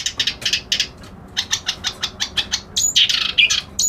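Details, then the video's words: Kerak basi alis putih reed warbler churning out rapid grating, buzzy notes in a steady rhythm, speeding into a dense scratchy flurry with brief high pure whistles near the end. "Suara Burung Kerak Basi Alis Putih"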